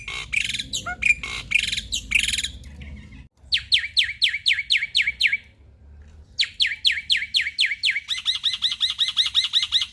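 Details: Male black-winged starling in full song, used to coax reluctant starlings to sing: harsh chattering phrases, then rapid series of loud, down-slurred whistles repeated about four times a second, ending in a fast rolling trill.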